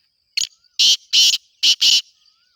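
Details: A Black Francolin gives a mating-season call of five harsh, grating notes in about two seconds: one short note, then two quick pairs. No other sounds are heard.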